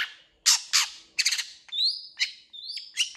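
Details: Long-tailed shrike singing: harsh scratchy bursts followed by clear whistled notes that slide upward, alternating with more rasping chatter.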